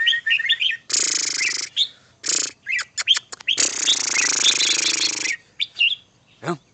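Red-whiskered bulbul giving short bursts of bright, bubbly whistled notes, broken up by loud bursts of harsh rushing noise.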